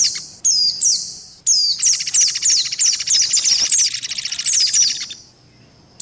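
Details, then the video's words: Lure recording of white-eyes mixed with mantenan and pelatuk beras: sharp high descending chirps in bursts, then a steady buzzy trill with repeated downslurred notes about once a second, ending in quiet. "SUARA PIKAT BURUNG PLECI"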